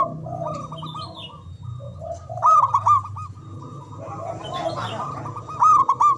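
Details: Loud local zebra dove from Java, used to prompt quiet doves to sing and rivals to respond. Several birds coo in rolling staccato phrases, two louder bursts standing out, against a low rumble and faint high chirps.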